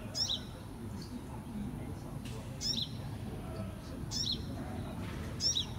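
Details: Sunbird chick recorded in 2018, giving four short, high, sharp chirps, each a quick downward-sweeping note, spaced irregularly over several seconds above a steady low background rumble.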